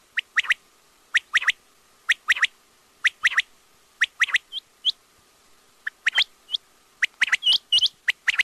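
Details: Quail call series: crisp high chirps in pairs and triplets, repeated about once a second, growing busier and overlapping toward the end.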